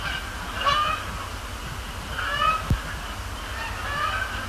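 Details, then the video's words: Canada geese at night on Sapsucker Woods Pond; a thinner spell with a few distinct nasal honks roughly every second and a half over a quieter murmur of distant birds, plus a single click. "Canada Geese, Thursday night at Sapsucker Woods"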